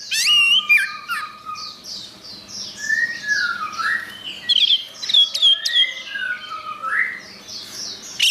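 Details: Orange-headed thrush in full varied song, mixing high chattering trills with lower slurred whistles that rise and fall, phrases flowing almost without pause.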